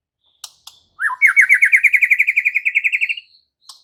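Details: Murai batu (white-rumped shama) answering in loud song: a few clicks, a short upswept note, then a fast, even trill of about twenty bright repeated notes climbing slowly in pitch over two seconds.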